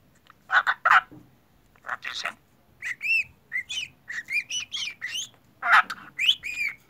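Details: A talking pet budgerigar, hidden under a table, chatters in bursts of scratchy, speech-like syllables mixed with squawks, whistles, laugh-like sounds and kissing sounds.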